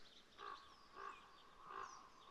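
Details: A common raven gives three hoarse, throaty croaks, one roughly every 0.6 to 0.7 seconds, over faint hiss, heard at sunrise near a forest photography hide after morning fog, with common buzzard and small birds also calling nearby.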